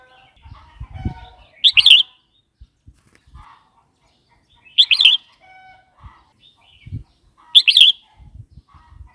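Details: Red-whiskered bulbul song used to excite new or wild-caught birds and to train youngsters: three cheerful, slurred phrases roughly every three seconds over scattered low knocks and shuffling.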